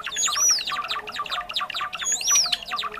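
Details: Trapping lure of Java sparrows, common in rice fields and farmland: quick bell-like chips and clicks under two arching high whistles about two seconds apart.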